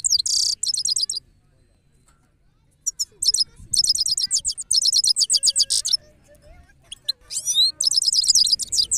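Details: European goldfinch singing: bursts of rapid, high, tinkling twittered notes repeated in quick runs, broken by a long pause and short gaps, with faint lower whistles in the background.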